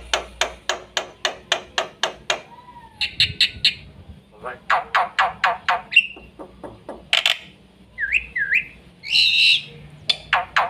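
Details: Black-winged myna, fast full 'isian' song used to tutor young birds: rapid clicking notes, a short whistle, chattering bursts, two rising-falling whistled notes and a harsh burst, all in quick succession.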